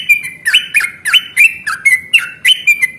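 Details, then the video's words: Yellow-vented bulbul singing hard in fighting mood, a long rapid phrase meant to provoke answers from other bulbuls: rapid chattering whistles, flat and slurred notes alternating in quick succession throughout. "trucukan gacor tarung ROPEL PANJANG pancingan trucukan agar bunyi JADIKAN burung trucuk GACOR nyaut"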